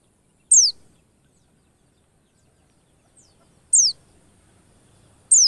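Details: Very high, sharp descending white-eye notes, three single calls separated by about two to three seconds of near silence, from a recording intended as a lure to make white-eyes sing quickly.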